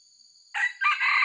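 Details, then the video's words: Crow of a white-legged wild red junglefowl, recorded for luring others: a short, loud, rasping crow in two segments, the second stronger and sustained, over a constant high-pitched whine in the background. "MIKAT AYAM HUTAN ORI KAKI PUTIH"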